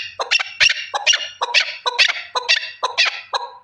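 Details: A male partridge, one individual, utters paired harsh chuck notes. The pairs are repeated roughly twice a second, some lower and some higher-pitched.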